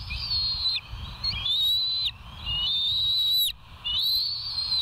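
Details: Bald eagle at the West End nest on a live cam, 09/06/2023, 07:12: drawn-out piercing whistles, each held level for around a second before dropping sharply, given in a run of four with brief gaps, constant hiss beneath.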